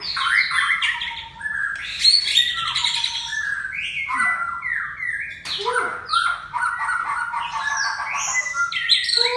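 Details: Aceh white-rumped shama delivers a continuous, energetic song of swooping whistles, rapid rattling trills and harsh squawky notes mixed with occasional deep warbled notes, phrases run almost without pause, faint background hum.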